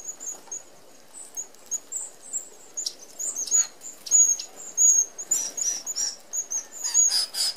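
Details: Red-browed finches feeding together at a mesh open aviary feeder in Australia; continuous chatter of fine high-pitched piping notes from many birds, growing busier toward the end with soft wing flutters.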